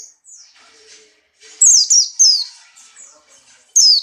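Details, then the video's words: Buxtoni white-eye, in breeding condition, gives soft twittering before loud high down-slurred notes in two short bursts, then a final sharp phrase at the end. "burung pleci Buxtoni birahi kencang loncat indah nembak"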